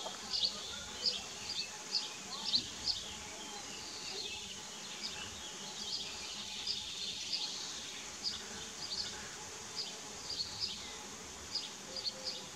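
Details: Common kestrels at Dohr on 4 June 2015, as the male brings a mouse and the young feed: short, thin, high-pitched chip notes repeated about every half second to second over a steady low background hum.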